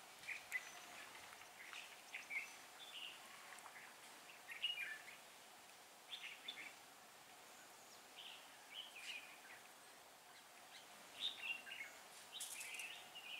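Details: Red-whiskered Bulbuls at a trap, a male and female pair, recorded 6 December 2016: short warbled, chirpy phrases scattered irregularly across thirteen seconds, some doubled, faint against a steady outdoor hiss.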